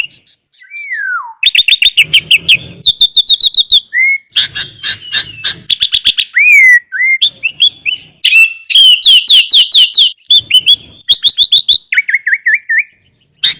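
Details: Sooty-headed bulbul with a rich 'isian' song of varied inserted phrases, played as a master recording to lure birds and prompt quiet bulbuls to sing: a descending whistle, then dense bursts of sharp high chirps and rapid trills, with short slurred whistles between.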